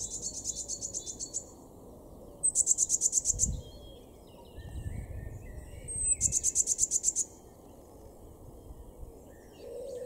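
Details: Blue tit song in a garden at Weener, Ostfriesland, northwest Germany, in April 2022. Three bursts of thin, rapid, high-pitched trilling are spaced a few seconds apart, with soft low thumps and a background hum.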